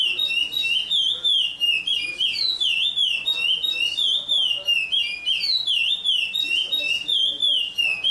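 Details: A chestnut-bellied seed finch in Paracambi sings a loud, unbroken run of clear, rolling whistles that slide up and down in quick, melodious phrases.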